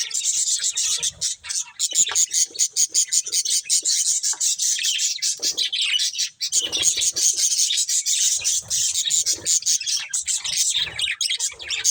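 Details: Breeding pair of caged budgerigars chirping continuously: dense, rapid high chatter of scratchy twitters and squeaks with brief pauses, several birds overlapping throughout, a few soft low knocks in the background.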